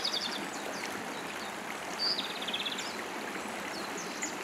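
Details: Japanese robin recorded in Hiroshima in 2019: a sharp, high introductory note followed by a fast, rattling trill about two seconds in, with fainter high notes at the start, all over the steady roar of a rushing stream.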